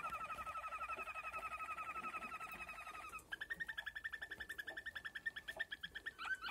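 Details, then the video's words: Malinois waterslager canary song: a fast, even rolling trill for three seconds, then a shift to slower, separate bubbling water notes repeated several times a second. "malinois waterslager. Καναρίνι Μαλινουα"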